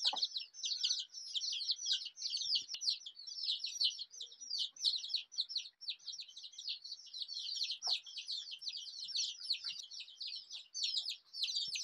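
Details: A big group of rainbow-coloured desi chicks fills the air with nonstop shrill peeping. The short falling chirps pile densely on each other, with a few faint low taps.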